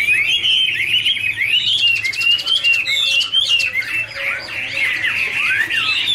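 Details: Chinese hwamei in a dancing duet, warbling fast series of slurred whistles and rippling trills, with occasional sweeping downslurred notes and a steady, lively pace.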